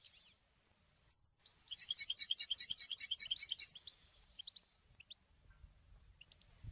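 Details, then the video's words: European goldfinch, somewhat faint: a brief twitter, a pause, then a rhythmic run of repeated bright, tinkling notes for about two seconds, followed by scattered soft chirps. "Symphony in song - super goldfinch singing for education"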